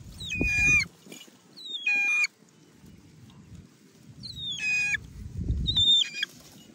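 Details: A trained hawk-eagle out hunting birds gives four shrill, harmonic calls spaced over several seconds, each sliding down then holding a high note, with low rumbling handling noise between them.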